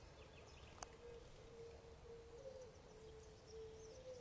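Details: Pied imperial pigeon (Ducula bicolor), call.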